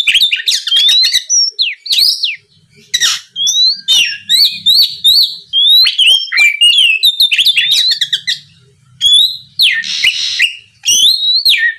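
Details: Oriental magpie-robin lure song for prompting rival birds to answer: a long, dense stream of loud whistles, chips and rapid buzzy trills, phrases repeating with short gaps, a harsh rasp near the end.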